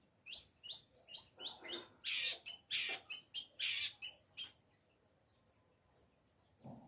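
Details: Long-tailed shrike of the Lampung local type, singing a rapid run of sharp chirps, first five clear high notes then harsher buzzy chattering phrases, about fourteen notes in four seconds, then near silence with a faint low thump at the end.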